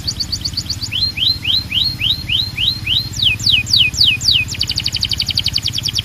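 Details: Belgian canary song meant to call the other canaries into singing: short trill, a run of about nine rising whistled slurs, falling notes, then a very fast high trill, with a low hum underneath.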